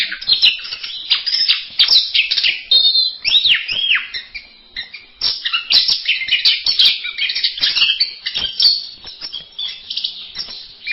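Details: Orange-headed thrush in masteran song: long, busy sequences of rapid chattering notes and looping up-and-down whistles, nearly continuous with a brief lull midway.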